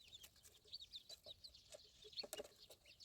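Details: Young ducklings peeping: a run of short, high chirps, some slightly falling, repeated several times a second with brief gaps, over soft rustling and faint background noise.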